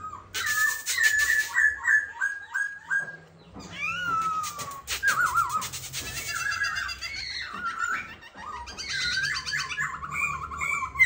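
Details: Caged black-throated laughingthrush, a kept songbird, singing while clinging to its cage bars: loud, varied whistled phrases that slide down and up, mixed with harsh buzzy bursts and rapid chattering notes, with brief pauses between phrases and a low background hum.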